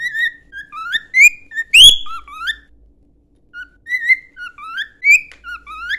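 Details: Cockatiel singing a training song: rising and falling whistled notes strung into a lively melodic phrase, one sharp loud note midway, a pause, then the tune resumes.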